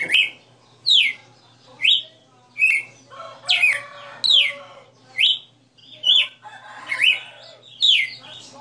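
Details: Red-cowled cardinal in a cage, a 60-note singer, repeating bright whistled phrases with rising and falling slurs about once a second, some followed by softer chattering notes, over low hum.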